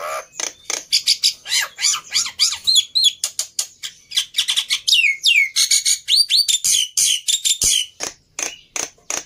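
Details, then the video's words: Black-winged myna fighter bird overexcited, kept for tutoring mute starlings: a rapid irregular stream of clicks, chirps, whistled upslurs and harsh notes, about three per second. "Burung Jalak Putih fighter Emosi Nya kelewatan || Cocok Untuk Masteran Jalak Bisu"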